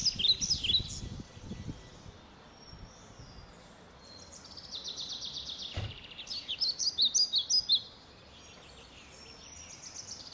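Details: Blackbird babies nesting in a shed, eating insects; brief high begging squeaks at the start, a long quieter stretch with a single knock, then a loud fast burst of shrill chirps before falling quiet.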